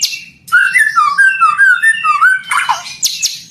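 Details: White-rumped shama singing on a 2024 training recording for captive birds: a string of mellow, lower whistled notes rising and falling, followed by bright high chirps, over a faint low hum.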